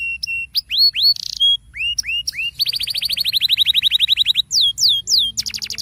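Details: Canary rolling song used to trigger singing in other canaries: flat whistles and rising upswept notes, then a fast train of about twenty-five rising notes, finishing with falling swoops.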